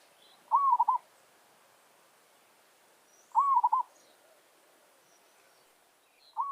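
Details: Zebra dove (merbok kampung, village-bred) used as a lure to draw wild doves into a challenge. It gives three cooing phrases, each a rising note breaking into quick stuttered coos. They come about three seconds apart over a quiet background.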